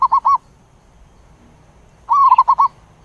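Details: Zebra dove giving its flock call: three short, clipped coos, a second of quiet, then a longer burst that opens with a drawn-out note and breaks into rapid stuttered coos.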